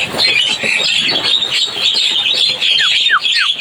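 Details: Javan myna chorus of dense high chatter, ending with three clear downward-sliding whistled notes spaced about a third of a second apart.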